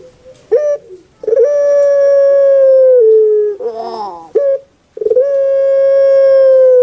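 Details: Two full phrases from a kept puter pelung dove of Java, Indonesia: a quick rising pip, a sustained flat hoot of nearly two seconds dropping at its end, then a gravelly tumbling roll before the next phrase begins.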